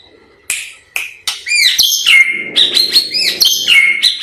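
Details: White-rumped shama, described as a 'blorok' type bird singing extreme bursts used to provoke other birds to sing: loud varied whistled phrases, sharp rising notes, then long rich warbling strings with a steady tone near the top.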